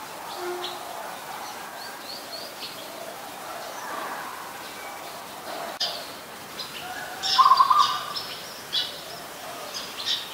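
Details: Adult zebra dove recorded in Ubon Ratchathani, Thailand, on 28 December 2020: one brief, loud, rattling trilled coo burst in the middle, with scattered high chirps from other birds and a sharp click.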